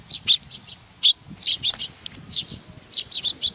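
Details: Several sparrows gather at Tenmangu shrine in Nakanoshima on 7 June 2020 to be fed, chirping in short, high, uneven bursts, some notes loud and others softer, over a low murmur.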